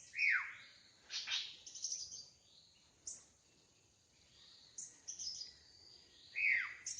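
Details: Drongo in the wild, singing busily: scattered downward-swooping whistles and short high chips spaced irregularly, some louder and nearer, with quieter notes between. A faint steady high hiss sits in the background.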